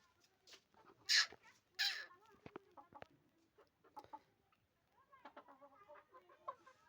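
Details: Hen in village life, two loud harsh squawking bursts early on, followed by irregular clucks and a quicker series of short repeated clucking notes toward the end.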